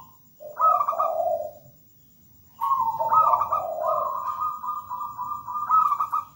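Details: Local perkutut, a zebra dove, singing actively: a two-part trilled coo, a pause, then a longer phrase ending in an extended, even, rolling high coo.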